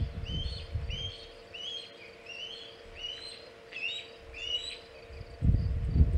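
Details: Osprey at the Hog Island nest with a big shad on 27 August 2019, around 3:50 pm EDT: a run of rising whistled chirps, about two per second, over low rumbling wind noise.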